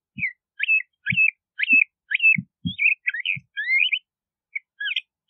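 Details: LeConte's thrasher singing a run of short varied phrases, whistled notes with quick upward and downward sweeps, about two each second, with soft low thumps under several of them.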